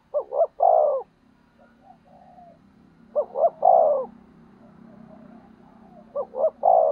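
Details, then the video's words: Spotted dove decoy bird calling to provoke rivals: three phrases of two short coos and a long, drawn-out, wavering coo, about every three seconds, with soft murmured notes between. "Cu Gáy Mồi Thúc/ Kích Bổi Mới Nhất | Chim cu mồi"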